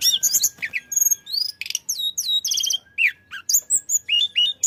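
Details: Flycatcher (tledekan) singing vigorously, used to prompt other birds to sing: a rapid, varied jumble of high whistled notes, sharp downslurs, buzzy stacked trills and quick chirps with brief pauses, over a faint steady tone.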